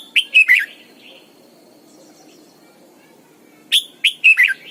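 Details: Morning song of a caged decoy red-whiskered bulbul in double-note mature wild style: a short burst of three whistled, warbling notes, a quiet pause, then a livelier four-note phrase.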